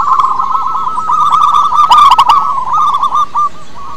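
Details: Zebra dove, a local Indonesian perkutut with a big voice, used as a lure call for other doves; steady rolling trilled cooing held around one pitch with quick pulsed notes, a brief burst of clicking sounds midway.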